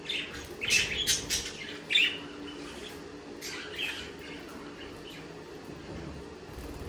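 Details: Budgerigars giving harsh squawky chirps and sharp twitters, loudest in a quick cluster near the start, then softer scattered notes over a low steady hum.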